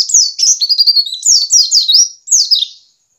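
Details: High-pitched ngiriwik chattering of a white-eye, meant to prompt caged birds to start singing: continuous quick series of sharp falling chirps and short warbled notes, ending in a single loud downslurred chirp.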